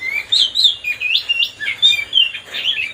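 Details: Oriental magpie-robin song to stir up a rival bird: a quick string of pure, looping whistled notes, rising and falling in rapid succession, about three phrases per second.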